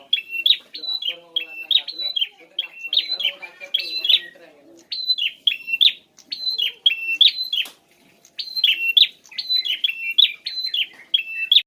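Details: Prinia singing, played to make a ceplier reply: long strings of high, sharp chirped phrases in fast repeated bursts with brief pauses, over a faint murmur of low sounds early on.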